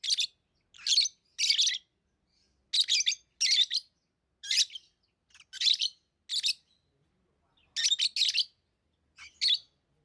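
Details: Tamed lovebirds making piercing, harsh chirps in short groups of two or three, repeated about every second with brief silences between, clean and close.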